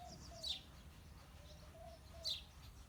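House sparrow giving two short, bright chirps about two seconds apart over a low background rumble and faint distant tones.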